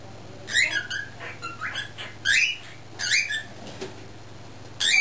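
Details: Male cockatiel under a year old, learning speech, left in its cage indoors while owners work in the driveway; repeated raspy, word-like chattering phrases in bursts roughly every second, some rising and scratchy, with steady low hum beneath.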